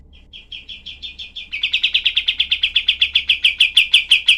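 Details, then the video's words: Tutor-recording song of a cream-vented bulbul (kapas tembak) with dense, sharp 'tembakan' shots: soft high chips repeated steadily, then a sudden louder, faster series of about twenty-five clipped, buzzy notes. "masteran kapas tembak"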